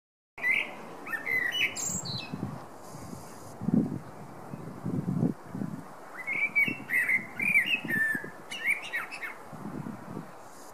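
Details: Male common blackbird singing two phrases a few seconds apart, each a low, fluted, whistled warble that ends in a high, squeaky twitter, over a steady low background rumble.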